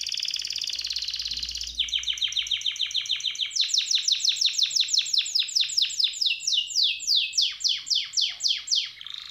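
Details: A highly excited Timbrado canary sings a high rolling trill, then runs of quick, bright, downslurred notes at several per second, changing tempo between phrases.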